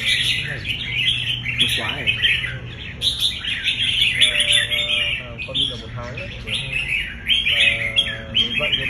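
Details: Trained red-whiskered bulbul, a competition bird prompted to sing its fighting song, pours out continuous high chattering and quick twittered phrases. Short bursts of human speech break in now and then beneath the song.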